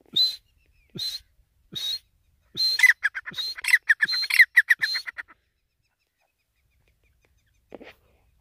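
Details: Iranian teetar (grey francolin) calling in breeding season: three sharp, separate high notes, then a rapid run of clipped notes lasting about two seconds before it stops, with a faint extra note near the end.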